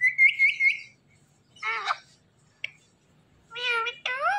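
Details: Green Indian ringneck parakeet vocalizing: a wavering nasal trill opens, then raspy harmonic speech-like squawks follow after brief silences, ending in two rough drawn-out syllables.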